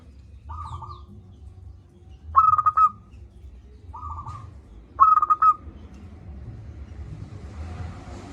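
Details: Persistent local zebra dove with a big voice, played to coax idle doves into singing. Soft level coos alternate with two loud, rapidly stuttered cooing phrases about three seconds apart. A low background rumble runs throughout, with hiss toward the end.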